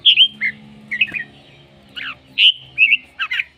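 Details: A red-whiskered bulbul, singing heavily, gives short paired whistled phrases, a bright upper note dropping to a lower one, repeated about every half second over a soft low background drone.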